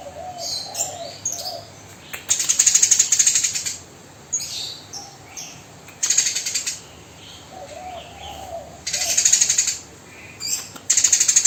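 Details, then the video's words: Eurasian tree sparrow, a tame and chatty bird, firing harsh rapid 'tembakan' bursts: dense high rattling chirp series lasting one to two seconds, returning after gaps, with softer lower notes between. "Burung Gereja Gacor Jinak Tembakan Kasar"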